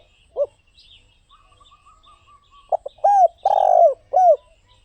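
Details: Spotted dove sounding a lone soft note, then after a pause a complete phrase of curved coos around a long, vibrating croon; a thin whistled call from another bird runs in between.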